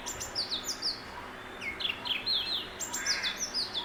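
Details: Oriental magpie-robin (Copsychus saularis) singing very near: a varied run of clear, high whistled notes, many sliding downward, in quick phrases over faint background hiss.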